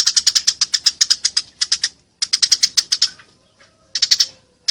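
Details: Eurasian tree sparrow fighting, recorded clearly for songbird training: a long steady run of rapid sharp chirps, a second run after a short gap, then quieter pause and a final few notes.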